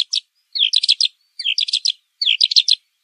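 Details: Pailing bird, pekling song: short high bursts of quick chirping notes, each lasting about half a second, separated by brief silences and repeated about four times.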